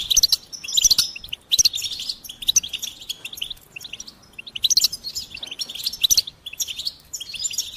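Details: Goldfinch singing in short bursts of tinkling, twittering phrases, each about a second long, separated by brief pauses.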